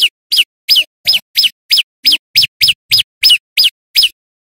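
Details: Loud, persistent song of a male bar-winged prinia used to attract birds in the wild, delivered as a steady chain of sharp, high downslurred notes about three per second.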